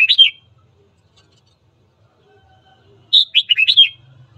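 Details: A red-whiskered bulbul's morning song, used to rouse rival birds for fighting: a brief clear note cluster opens, then after a pause a quick rolling phrase of five warbled, slurred whistles.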